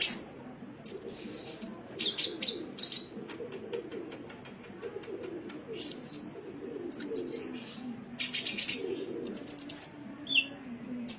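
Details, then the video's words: Sunbird song from a cage-bird training recording: a lively run of sharp high whistled notes and slurred chips, mixed with dry buzzy rattles, coming in uneven bursts over a steady low background hum. "Masteran Suara Burung Kolibri"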